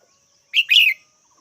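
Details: Red-whiskered bulbul calls once, a crisp short note then a fuller warbled note that dips at its end, with a faint high background drone.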